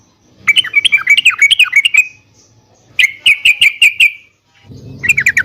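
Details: Song of a caged yellow-vented bulbul used to stir other birds into answering: quick bubbling notes in three bursts, a short run, a steady trill-like series, and a final flurry after a silence.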